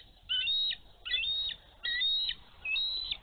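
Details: Female bald eagle on a Minnesota nest in March snow, defending her egg as a young eagle dives too close; high whistled chittering notes in four rising, piping bursts about a second apart, with faint background hiss.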